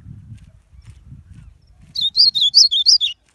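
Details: A bird, uncertainly identified as either an azulão (ultramarine grosbeak) or a papa-capim, gives a brief, sweet, high warbled phrase of about five quick looping whistles lasting about a second, after a low rumbling background noise.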